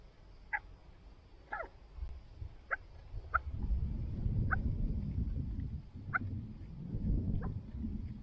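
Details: Chukar partridges kept by their owner, uttering brief sharp chuck notes spaced roughly a second apart, a few doubled, against a low rumbling wind or handling noise.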